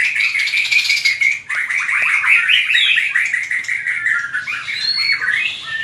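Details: White-rumped shama singing its competitive fighting song, hót đấu: a dense, continuous stream of rich whistles and trills, mostly mid-high and steady in loudness, with a few sweeping high notes near the end.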